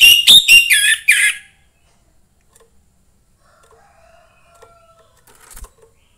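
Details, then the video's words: Young orange-headed thrush taken from the forest sings a quick, bright phrase of high whistles and chattering notes to stir other thrushes, followed by near silence with faint background sounds. "suara anis merah MUDA HUTAN meningkatkan felling anis merah lain"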